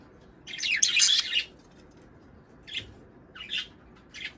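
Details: Budgerigar warbling intended to bring birds into breeding condition; a dense, scratchy warble lasting about a second, then three short chirps spaced apart.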